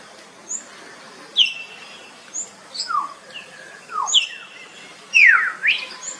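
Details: Common hill myna calling: a varied, irregular string of loud whistled notes, with sharp falling slurs, quick rising sweeps and short high squeaks, about a dozen notes in six seconds, over a faint steady hiss.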